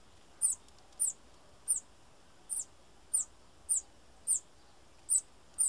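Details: Bananaquit uttering high, piercing short notes, about a hundred per minute at slightly uneven spacing, each a quick downslurred tsit, against quiet background hiss.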